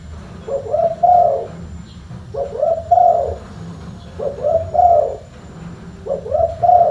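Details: Spotted dove calling with a deep, full-bass tone, four regular low phrases of a short note followed by a longer resonant coo, roughly every two seconds, over low background rumble.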